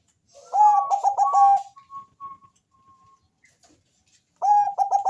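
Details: Zebra dove of the Bangkok type, thick bass voice, singing to prompt other doves to call: a loud stuttering cooing phrase, a pause with soft single notes, then the next rapid phrase begins.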